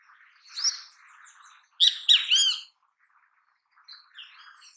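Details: Great kiskadee in natural habitat with a loud, harsh three-note phrase in the middle, each note raspy and ringing, over soft twittering of other birds.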